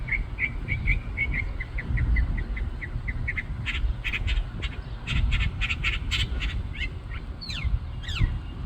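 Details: Bird atop a tree in a parking lot singing: a steady series of short, evenly spaced chirps, then harsher, buzzy squawking notes and a couple of rising whistles, with low traffic rumble throughout.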